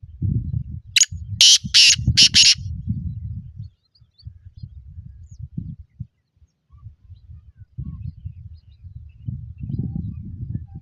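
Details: A well-bred, spirited black francolin calls once near the start: a quick burst of four or five scratchy, buzzy notes, the last pair closely spaced. Low rumbling background noise continues throughout.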